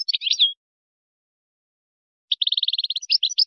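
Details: Moroccan-style European goldfinch song for tutoring young birds and hybrids, a twittering phrase with a slurred close, a pause, then a fast even trill flowing into mixed chirps.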